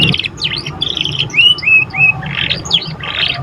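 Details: Juvenile canary just learning to sing: buzzy chattering notes, then a few clear upward and level whistles, then buzzy bursts again, high-pitched and irregular, with a steady low hum behind.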